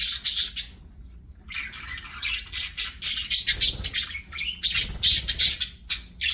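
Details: Several budgies sing as they play, a dense stream of high, rasping warbles and squawky chirps pulsing rapidly after a short pause near the start.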